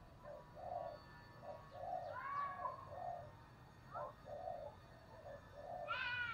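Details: Decoy spotted dove calling to attract wild doves: soft, low coo phrases repeated at an irregular pace under steady background hiss, with brief higher chirps from other birds.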